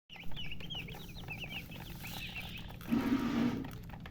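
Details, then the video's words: Coloured baby chickens (chicks) chirping from thirst for drinking water: rapid high peeping notes, each sliding downward, repeated quickly for about two and a half seconds, then a low rustling scuffle with a steady background hum. "Murgi chicks Chirping sounds with thirst for drink water"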